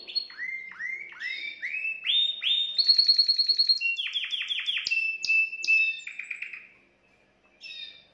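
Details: Canary singing to excite a female: rolling phrases of rising chirps, switching to a fast trill, then a steady whistled tone and more rising notes before a short pause and final burst.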